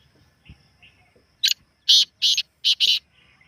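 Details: Real partridge voice meant to make a kept bird call back: a clipped first note, then four loud, grating syllables in quick succession over faint low background murmur.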